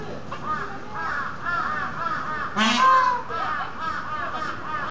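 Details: Captive peafowl at Maruyama Zoo, female and male calling to each other: a run of nasal, arched honks overlapped by a louder, rising wail near the middle, then more honking, over a constant background hum.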